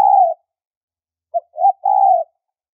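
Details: Spotted dove voice used as a high-pitched lure for trapping: one drawn-out coo, then after a gap a short note, a rising note and another long coo, all on a quiet background.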